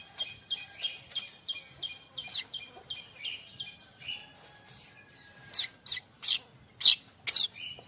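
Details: Active streaked weaver song, used as a tutor recording for songbirds such as magpie-robins: a steady series of short high chips at a regular pace, building to sharper, louder ticking notes near the end.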